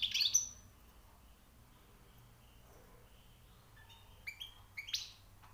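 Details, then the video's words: Newly caught European goldfinch singing: a loud, tight burst of high twittering notes at the start, then silence, and a few brief high chirps and metallic notes near the end. "غناء_ مقنين_ جديد_ نوطاة_ عاليه_ومفقودة_حسون _صيد جديد_#chant chardonneret"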